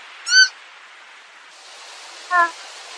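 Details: Purple swamphen giving two short, nasal, harmonic honks about two seconds apart over a constant background hiss.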